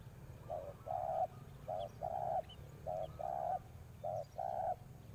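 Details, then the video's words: Decoy spotted dove calling to lure wild doves: soft, low cooing in paired phrases, a short coo followed by a longer purring one, repeated about four times with brief pauses, over a low steady background hum. "chim cu mồi gáy gọi bổi"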